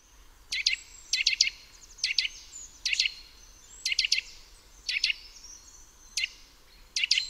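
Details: Eurasian nuthatch (Sitta europaea) song: loud, sharp, high notes in quick clusters of two or three, repeated roughly every second, with faint thin notes between.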